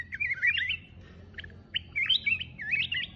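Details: Solo mountain red-whiskered bulbul delivering rich, rolling whistled warbles, two bursts of twisting notes separated by a short pause, clear over a low background hum.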